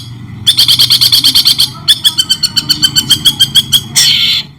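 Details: White-rumped shama singing shrike-style for a training recording: three bursts of high rattling notes with short gaps, the last a harsh, buzzy rasp.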